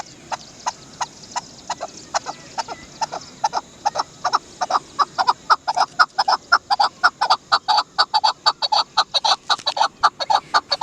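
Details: Steady series of clipped chak notes from a Chukar partridge (dasi chakor), starting softly and growing louder and faster, about two per second.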